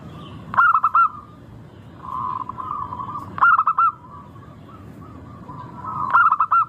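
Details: Zebra dove of a local strain used as a lure to start birds singing, giving rhythmic cooing bursts of several rolled notes, one phrase roughly every two and a half to three seconds, with faint softer coos in the gaps.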